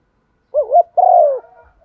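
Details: One female spotted dove phrase in 'thúc gù' style, played to excite decoy birds: a short wobbling coo leading into a smooth, sustained coo that slides slightly downward, then a faint trailing murmur.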